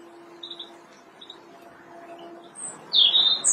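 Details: Early-spring robin singing on branches in March: faint scattered high chirps give way to a loud, high whistled phrase near the end, over a quiet background hiss.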